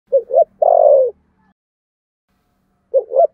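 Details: Spotted dove giving contest cooing in the Sấm Thổ voice style. Two quick low hooting notes are followed by a long, smooth coo that slides downward. After a pause, the next phrase begins. The background is quiet.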